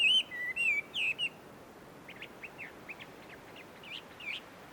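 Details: Chinese hwamei in the wild among trees at a Tenmangu shrine in Joso, Ibaraki, Japan. A few loud, clear whistles open the clip, then softer, distant whistled notes trail off against quiet background hiss.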